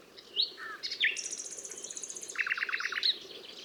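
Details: Nightingale song: varied whistled and slurred notes lead into a long, very high buzzy trill, then a run of lower repeated notes and a final sharp chirp, over low background noise.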